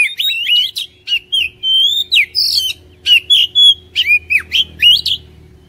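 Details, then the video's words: Song of an Oriental magpie-robin, used to prompt a caged bird to sing; dense series of loud whistled notes and harsh buzzy bursts, roughly two to three phrases per second, sharp upward and downward slides throughout. "PANCINGAN KACER INI | KACER MALAS BUNYI CEPAT GACOR"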